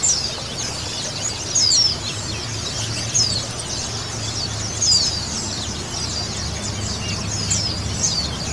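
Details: A colony of male and female white-eyes, meant as therapy to get birds singing, chatters in high, thin overlapping chirps with periodic louder squeaks over a low background rumble.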